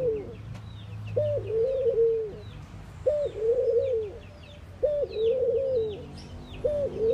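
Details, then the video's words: Mourning dove repeating its mournful coo roughly every two seconds, each phrase opening with an upslurred note and settling into drawn-out low hoots, with scattered twittering songbirds behind. "Mourning Doves Make Noise"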